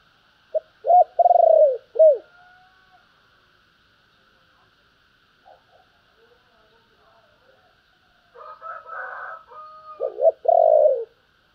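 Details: Spotted dove cooing in 'thúc' and 'gọi' styles: a low wavering phrase ending in a long falling coo, a stretch of faint scattered sounds and muffled clatter, then another full falling coo phrase.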